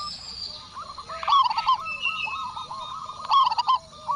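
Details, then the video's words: A local zebra dove (perkutut) in Indonesia, described as loud-voiced and in full song, answers a lure call with two bursts of rapid, stuttering soft coos, each ending in a rolling low trill; a faint, thin higher whistle comes in between. "Perkutut Lokal Gacor Suara Besar"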